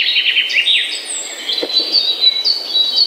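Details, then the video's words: A morning chorus of birds: a cluster of quick descending chirps early on, then long high thin whistles and overlapping bright notes, with a brief soft low knock in the middle. "The Best Bird Song - Morning Bird Ringtone"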